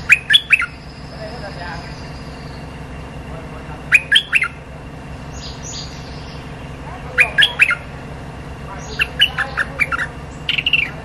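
Streak-eared Bulbul giving short bursts of harsh, chattering squawks every few seconds, over a steady low hum.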